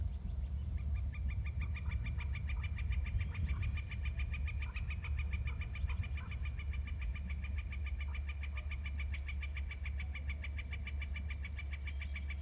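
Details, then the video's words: At 14:07 a male eagle trills: an unbroken, rapid chatter of evenly spaced pulsed notes sustained for over ten seconds, preceded by a couple of thin high squeaks, against a steady low hum. "Eagle trills (Male)"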